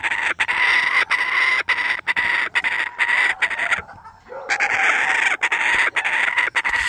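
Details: A kookaburra named Lloyd, wanting his breakfast, gives a loud, raucous cackling chorus of harsh, rapidly repeated notes, breaking off briefly midway before bursting out again.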